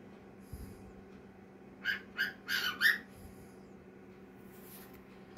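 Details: Cockatiel giving a quick run of five short, bright chirping notes in close succession near the middle, with faint low room hum and a soft high hiss before and after.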